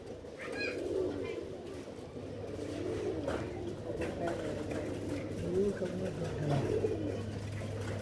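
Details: Pigeons cooing softly in low, rolling phrases over a steady hum, with faint higher notes and light background voices.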